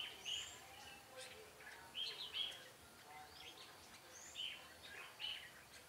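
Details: Red-whiskered bulbul recorded during bird trapping on 13 March 2017: short, bright whistled phrases repeat every second or two, alongside faint chirps from other birds and a steady high insect tone.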